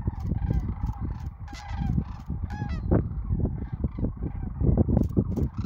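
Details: Spring-migration sandhill cranes near Wood River, Nebraska, 2024, calling en masse. Rattling bugles overlap, with one clear rising, rolling call near the middle, over steady low-frequency rumbling.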